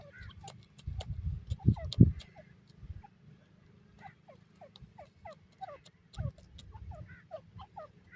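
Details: Partridges, named as Buday teetar and Irani teetar: a run of short, mid-pitched notes that slide downward, repeated about three per second, over low rumbling and handling thumps.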